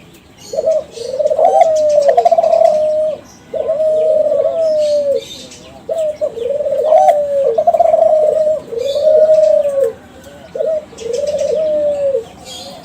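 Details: Young Kelantan spotted dove of champion contest stock, singing as a lure for other doves: five or six rippling, level coo phrases, each about two seconds long, separated by short pauses.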